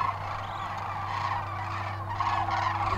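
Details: A dense chorus of migrating Sandhill Cranes, part of about 600,000 gathering on the Platte River near Kearney, Nebraska from mid-February to early April, gives loud overlapping rolling, rattling calls over a low hum.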